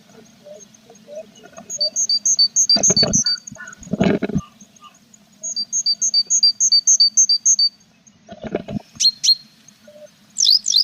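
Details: Tit nestbox on 21 April with a parent and growing chicks; rapid bursts of high doubled notes in regular runs of about two seconds, broken by loud bumping and rustling inside the box, ending in sharp squeaks.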